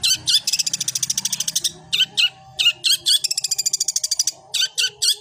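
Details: Long-tailed shrike in fighting song of the 'suara gereja' style: bursts of fast, buzzy, evenly repeated high notes broken by short pauses, with a faint low hum underneath.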